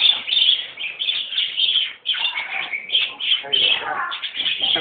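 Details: A white parakeet chatters continuously in bright, scratchy chirps and warbles, with rapid twittering notes running without pause through the clip.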